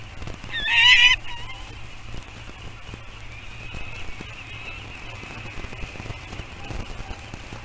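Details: A falcon's loud, harsh, grating screech of about half a second, signalling that the juvenile falcons are near their canyon nest, followed by a steady faint high hum and light background noise; 27 June 2022.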